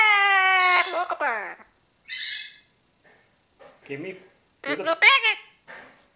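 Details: Ten-year-old female Amazon parrot kept as a pet, talking and singing: loud, harmonic, speech-like phrases, a long nasal note, then short bursts, with a person speaking and laughing nearby.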